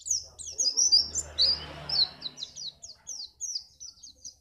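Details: Pacitan white-eye singing a contest-trigger song: a steady stream of thin, high, downslurred chirps about twice a second, with a soft low rumble in the background early on.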